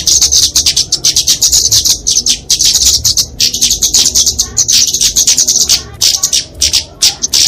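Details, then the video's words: High-pitched fighting song of a kemade flowerpecker (genus Dicaeum), meant for training and luring small birds: fast, thin, crackling twitters in long runs, pausing briefly every second or two. "Kicauan Kemade Tarung Untuk Masteran&Pikatan Burung Kecil!"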